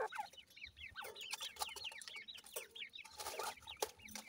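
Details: Raised in captivity, several Irani teetar francolin chicks call at once: a busy chorus of brief upslurred cheeps, many overlapping, with scattered clattering noises in the background.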